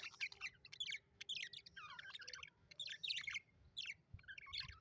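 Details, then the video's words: Happy budgerigars kept as pets, chirping nonstop: a steady run of bright, scratchy warbles and short twittering notes in quick bursts, with barely a pause, over a faint low background hum. "happy budgies chirping sound"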